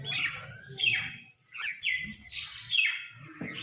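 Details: Crows squabble over food with loud, drawn-out, slightly falling squawks in four or five bursts separated by short pauses, while softer chirps and a low murmur continue in the background.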